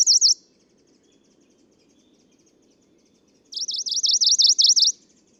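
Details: Male Tokara leaf warbler singing on Nakanoshima in the Tokara Islands, Japan, in June 2017; a brief high zigzag phrase, three seconds of quiet, then a loud run of about seven rapid undulating high notes.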